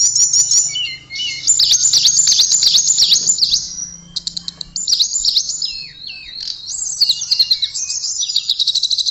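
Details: Nearly continuous high song of a blue flycatcher (tledekan): dense fast trills, chattering notes and descending whistled slides, with barely any pause.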